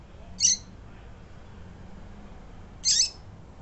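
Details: Female double-collared seedeater calling to stimulate males: a pair of brief, scratchy, high-pitched chips spaced about two and a half seconds apart over a low hum.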